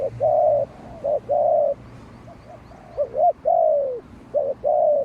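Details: Decoy spotted dove of a Malaysian line calling against wild doves: repeated phrases of short clipped coos leading into long level coos. Softer coos sound in between.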